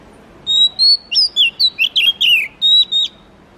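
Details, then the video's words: Melodious high whistling from an Oriental magpie-robin: a steady opening note, then quick down-slurred and trilled notes, closing with two long flat whistles. "suara murai kampung/ kacer"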